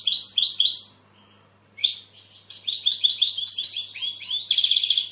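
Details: Goldfinch sings a quick twittering phrase, pauses briefly, then resumes with a long run of rapid tinkling and buzzy trilled notes.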